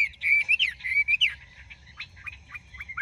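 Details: Caged Chinese hwamei with a large build: loud, fluid whistled slurs at first, trailing into quieter short, sharp notes spaced apart.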